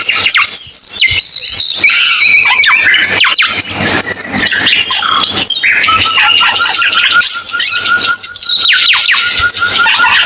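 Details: Cucak keling song, a long, unbroken medley of sharp whistles, squeaks and falling sweeps, with a steadier whistled tone near the end.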